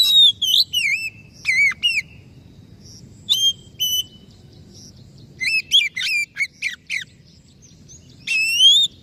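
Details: Oriental magpie-robin singing repeated short bursts of looping, slurred whistles and sharp chirps, with pauses between phrases and a final long rising whistle; soft low hum throughout.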